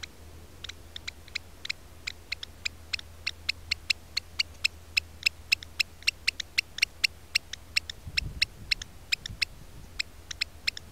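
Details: An African black oystercatcher on Robben Island, watching a mole snake eat its pair's eggs at the nest, gives sharp, high piping notes repeated two or three times a second, over a faint low hum and a brief thump.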